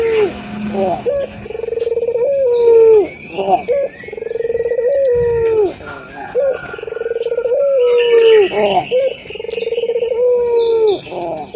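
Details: Lively local puter, a ringed turtle dove used to stimulate other doves to coo; loud, low, sustained coos with sharp rising and falling ends, given in a steady series about every one to two seconds.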